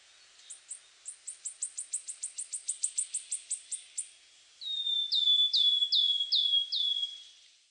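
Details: Bird chirping: a steady series of about twenty very high, quick downward ticks, followed by five louder whistled notes that each slide down, spaced about half a second apart.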